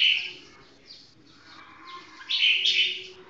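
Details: Red-whiskered bulbul with a 'golden voice' delivering slow, clear song: a bright whistled phrase at the start, a quiet gap, then a louder, richer warbled phrase near the end.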